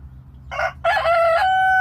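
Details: A local (baladi) rooster gives a short harsh opening note, then a long strained crow that holds a steady pitch to the end, over faint background hum.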